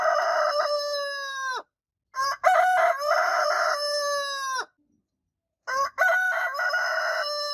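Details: Rooster crowing continuously: three loud crows in a row, each with a rough start and a long, held, slightly falling ending, separated by brief silences.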